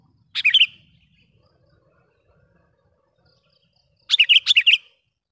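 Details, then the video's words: Sooty-headed bulbul used to lure wild bulbuls with its loud, sharp call: two bursts of bubbly, tumbling notes about four seconds apart, the second longer, over faint low background noise. "suara BURUNG KUTILANG pikat gacor memanggil kutilang liar dengan suara panggilan pikat kutilang"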